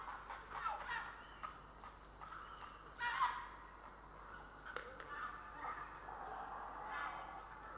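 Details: In Estonia on 3 April 2017, grey herons give repeated coarse, guttural squawks, several overlapping, with the loudest bursts early and near three seconds.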